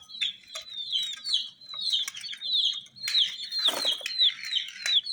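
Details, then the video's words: A group of colourful chicks giving high, piercing, down-sliding peeps in quick succession, with scattered clicks and a short burst of scuffling noise near the end. "Chicks Chirping"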